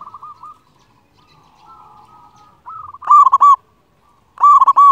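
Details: Loud local zebra dove used as a training master to stir silent or stressed birds. Faint soft coos lead into two powerful bubbling coo phrases, each a quick cluster of rounded notes about a second long.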